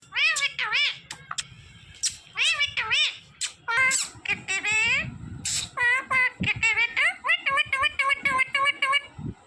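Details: A green pet parrot talking indoors: bursts of harsh, nasal, word-like syllables with rising and falling tones, then a fast run of short repeated chatter toward the end.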